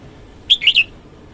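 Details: Red-whiskered bulbul morning song: one quick, bright, clear note, then two warbled, slurred notes in a phrase under half a second, over a quiet background.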